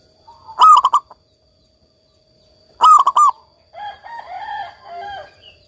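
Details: Local zebra dove giving two loud stuttered coo phrases about two seconds apart, each of four throaty notes, followed by softer warbling chatter from another bird.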